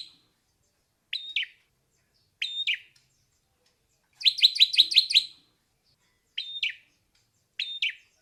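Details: Ashy drongo song of short sharp chirps at irregular intervals, broken by a quick rattling run of about six harsh notes in the middle.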